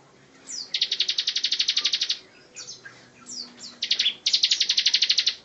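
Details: Bar-winged prinia song in the dense 'tembakan rapat' style, intended as a tutor for other songbirds: two long machine-gun trills of many rapid, evenly spaced buzzy notes, with short sharp chips between them.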